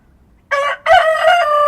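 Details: Rooster crowing at dawn in the countryside: a brief harsh opening syllable, a short break, then a long, loud, strained note that is cut off while still sounding, over a quiet rural background.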